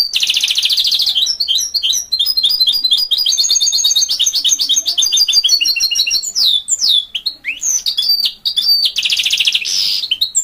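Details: Goldfinch mule in continuous energetic song: harsh buzzy rattles at the start and end frame long runs of rapid, high repeated chips and twittered slurs.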